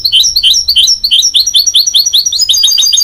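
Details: Goldfinch-canary hybrid, a mule bred from a goldfinch and a canary, singing a fast run of bright, high chirps and short rising whistles, tumbling on without pause over a faint low hum.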